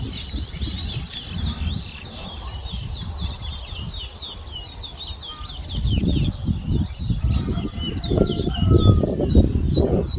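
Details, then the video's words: Whistled song of a towa towa seedfinch competing in a Berbice, Guyana whistling contest, 2022. High, quick slurred notes run continuously while low murmuring voices and rumble swell toward the end. "TOWA TOWA BIRD WHISTLING COMPETITION IN BERBICE"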